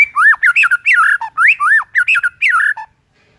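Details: White-rumped shama singing to provoke rivals in the morning, 'hitungan detik' style: loud, harsh, squawky phrases of swooping rising and falling notes, repeated in three bursts, then silence.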